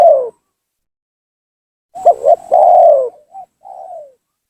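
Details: Spotted dove lure call aimed at bringing down rival doves: one loud phrase of two quick coos and a sustained falling coo, trailing off into two softer short coos.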